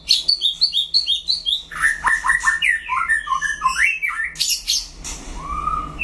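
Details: White-rumped shama in a solo singing duel, pouring out a fast, varied run of clear whistled notes and quick slurred trills that jump between high and mid pitch, with a steady low electrical hum beneath.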